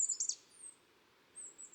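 Very high, thin, hissing notes from a kinglet: a quick cluster of sibilant chips, a pause, then another drawn-out wispy note. The background is quiet.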